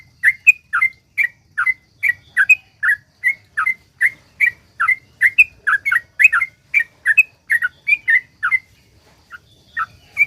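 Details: Sooty-headed bulbul in long rapid 'ropel panjang' song, used as a lure to get other bulbuls singing: quick, steady stream of short fluty notes, mostly falling slurs, about three per second, with a brief pause near the end.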